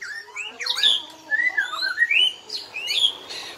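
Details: Black-legged white-rumped shama of Bahorok origin singing in nembak style: a lively run of clear whistled phrases, sliding up and down, with sharp high notes interspersed among mid-pitched rising whistles, delivered in short bursts.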